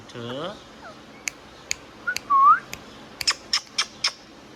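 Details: Pet Indian ringneck parrot talking: a low, speech-like harmonic phrase, then a few rising whistled notes, one loud upslurred whistle, and a run of sharp clicks and short squeaks near the end.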